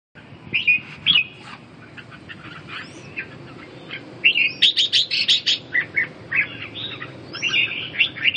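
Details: Red-whiskered bulbul song, offered as a recording to help birds recovering from coughing and weak breathing: lively overlapping chirped and whistled phrases, some upswept notes, in quick uneven bursts.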